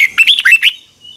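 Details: Red-whiskered bulbul morning song in the twisting double-voice style, recorded in 2021 as lure sound for training birds: a single rapid, warbled phrase of four or five bright notes, slurred up and down, ending abruptly.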